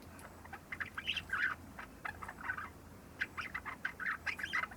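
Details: Three-month-old Java sparrow working on its song a few days after being brought home: two clusters of rapid, bubbly chattering notes separated by a short gap, soft and uneven.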